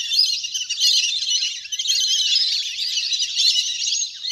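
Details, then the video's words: Large flock of ducks splashing and playing in water, recorded in nature as a lure: a loud, seamless wash of high twittering whistles with no clear break. "เสียงนกเป็ดน้ำ! ฝูงใหญ่เสียงคมชัดมาก สำหรับต่อเรียกนกให้ลง"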